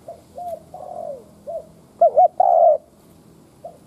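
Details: Spotted dove used as a decoy, cooing in the 'đất thúc' style to provoke wild doves: soft low coos, then a loud wavering double note and a long steady hoot near the end.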